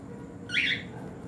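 A cockatiel gives one harsh, rasping squawk lasting under half a second, with a quiet indoor room hum behind it.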